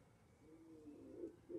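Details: Cooing from a wood pigeon nesting in a balcony box in Denmark: low, soft hooting notes, a drawn-out coo followed by louder, rounder coos, recorded quietly with faint background hiss.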